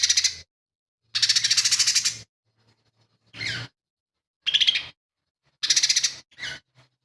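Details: Lesser green leafbird singing loud, full song filled with imitated phrases of sparrow, kingfisher and cililin; harsh, buzzy, rapidly pulsed bursts up to a second long, five main phrases separated by clean silences, with a faint low hum.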